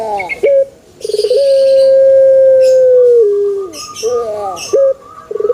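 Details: Cooing of a male Barbary dove: short bubbling lead-ins open into a long, smooth, steady hoot lasting over two seconds that slides down at the close, then a broken, quavering note, with faint metallic ticks behind.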